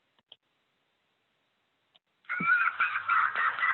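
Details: Common Loon chick in the Adirondacks begging for food: a harsh, whiny screeching that wavers in pitch for over a second after a short near-silence with faint clicks. Chicks do this more as they get older, urging the parent to dive for food.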